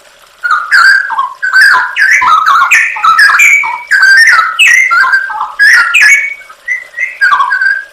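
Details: Straw-headed bulbul masteran song, a training recording for songbirds, with full fill-in 'nembak' phrasing: a continuous run of loud, liquid, gurgling whistles that rise and fall, broken by brief pauses, lasting about seven seconds.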